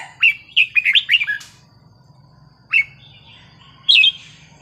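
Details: Red-whiskered bulbul singing forest-style: a fast run of five or six bright whistled warbling notes, then two single whistled notes after pauses.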